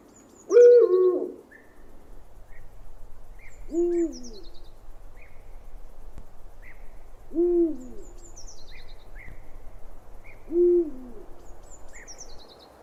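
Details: Owl heard in 8D audio: a series of four low, rounded hoots spaced roughly three to four seconds apart, the first louder and longer, with faint high chirps from small birds in between.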